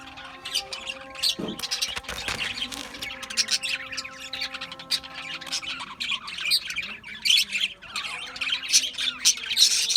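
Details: Many Australian budgies chattering together: a dense, busy stream of high chirps and squawks that grows louder toward the end, over a faint constant hum.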